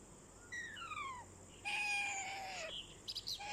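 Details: Rose-ringed parakeet, a talking ringneck parrot: two drawn-out, falling, harmonic-rich tones, the second longer and louder, followed by brief high chirps at the end.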